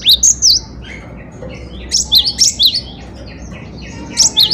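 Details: Cinereous tit (gelatik batu) singing for songbird tutoring: short bursts of two to four piercing, high, angular chirps, spaced by quiet gaps of about a second and a half.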